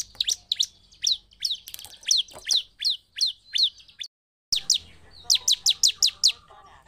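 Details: Lively bar-winged prinia song meant to rouse other prinias: quick, high, downslurred chips repeated rapidly, a brief silent break, then a faster burst of sharp notes.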